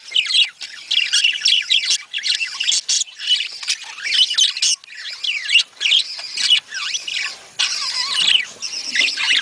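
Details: Budgerigars in a breeding-stimulation recording: lively warbling chatter with looping, up-and-down whistled chirps and harsh squawks in repeated phrases, several birds calling together.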